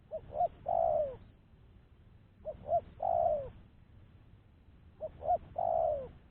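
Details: Lure cooing of a spotted dove, meant to draw wild doves in, from a bird now unafraid: three even phrases spaced about two and a half seconds apart, each a pair of brief notes and a long, softly falling coo.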